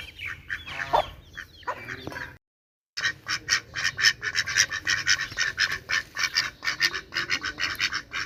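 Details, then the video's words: Loud duck quacking: a few drawn-out, wavering calls first, then after a brief gap a dense run of rasping quacks, about two each second, overlapping as if from several birds. "Duck Quack Quack Cute Sound || Quacking Sound Of Duck || Ducks Quack Quack Loud Sound"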